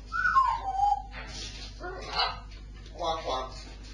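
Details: Pet parrot giving a clear whistle that steps downward in pitch, then several murmured, speech-like chattering phrases.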